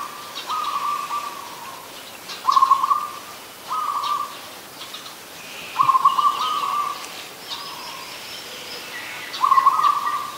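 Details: Adult zebra dove recorded at Ubon Ratchathani, Thailand, on 24 December 2020. It gives a series of about six choppy, trilling coos, some louder than others, at irregular spacing. Higher chirps from other birds are heard faintly.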